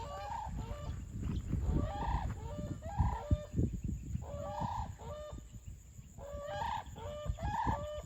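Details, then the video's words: A couple of brolgas at Crossing Falls, Kununurra, Kimberley, Western Australia, earlier dancing, now give a weird racket of harsh, trumpeting bursts with strong overtones in uneven runs every second or so, over low wind rumble. "Brolgas make a weird noise"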